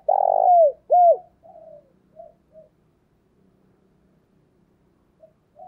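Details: Spotted dove used as a decoy bird for attracting wild doves: a loud long burred coo and a short hooked note open the clip, followed by soft fading coos and near silence.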